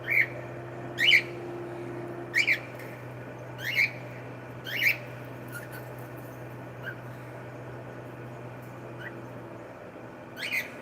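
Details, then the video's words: Pet cockatiel calling indoors: sharp, rising chirps repeated about every second or so, some in pairs, over a steady low hum. "cute Cockatiel sound"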